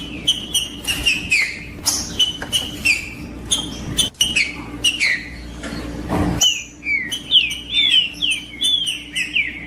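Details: Green-winged saltator singing, played to warm up and stimulate other birds to sing: clear whistled phrases sliding downward, repeated roughly every half second, with sharp clicking taps and a low steady hum behind.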